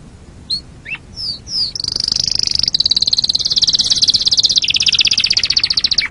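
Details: Canary song on a training master for songbirds. Scattered sharp upslurred notes and descending whistles give way to a sustained, rolling high trill that gradually drops in pitch near the end, closing with a quick falling note.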